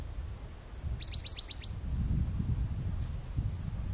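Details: Striated grasswren (Amytornis striatus whitei) at Wittenoom Gorge, Pilbara, Western Australia, 9 June 2012: very high, thin squeaks and a quick burst of about six sharp descending notes over a low wind rumble.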